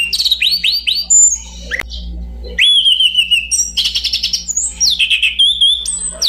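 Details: Orange-banded thrush song: a fast run of repeated rising whistles, a short pause, then long sliding whistled notes mixed with buzzy chattering trills, bright and high; a faint low hum runs beneath.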